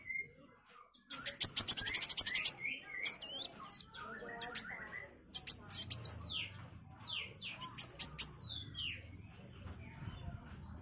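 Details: Sunbird, locally kolibri wulung, singing gacor for magpie-robin tutoring: a dense burst of rapid high ticks, then varied squeaky twitters and downslurred whistles with short pauses, over a faint low hum.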